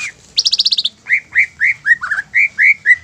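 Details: Greater green leafbird song used to make other leafbirds sing. A fast, trilled burst of high notes is followed by evenly spaced, clear, down-slurred whistles, about three per second.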